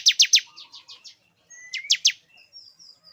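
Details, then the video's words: Male bar-winged prinia singing to bring a female into breeding condition: three sharp, loud descending chirps, then a softer run of similar notes, with a thin rising whistle and faint high tones after a brief pause. "Suara pikat ciblek jantan agar betina cepat birahi"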